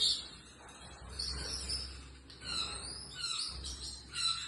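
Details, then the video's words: Female pet Pacific parrotlet indoors giving bursts of high, thin chirps and squeaky twitters in irregular clusters, with a low indoor hum underneath. "Pacific Parrotlet"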